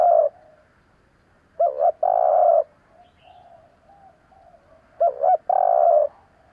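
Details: A dove's call used to rouse a decoy spotted dove: brief stuttering notes followed by a long, steady, slightly rough coo, repeated twice about three and a half seconds apart, in a quiet setting.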